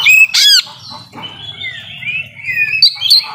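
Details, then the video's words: Oriental magpie-robin in song as a lure: a loud whistle and sharp trill, then thin drawn-out whistles over a low background hum. "Kacer Nembak Full Isian Cocok Buat Pancingan Kacer Yang Lagi Males Bunyi"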